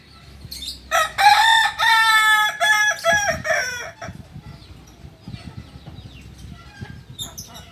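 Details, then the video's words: Multi-tiered crow of a Kokok Balenggek rooster from Solok, West Sumatra: a long first note, then a rapid series of short stepped syllables lasting about three seconds, with lower rustling and background noise afterwards. "Ayam kukuak balenggek ayam asli solok sumbar"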